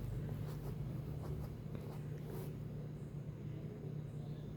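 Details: Steady low rumbling hum indoors with faint soft knocks, and no animal voice heard.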